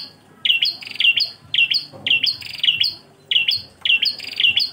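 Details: Prinia song in the engkel style, the Bar-winged prinia giving high, shrill doubled chirps that slide down slightly, clusters separated by short quiet gaps, repeated steadily almost twice a second.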